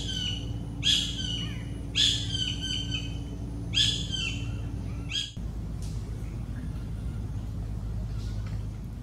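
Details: Collared kingfisher (Todiramphus chloris) in Goa, India, gives four loud, harsh, screechy notes, each a couple of seconds apart, then falls quiet over a steady low hum and faint rustle.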